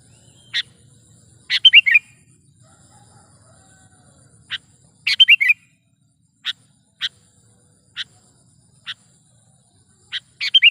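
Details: Sooty-headed bulbul calling actively in a lure recording used for trapping and for training songbirds. Several bubbly three-to-four-note phrases are scattered among many sharp single chips spaced roughly a second apart.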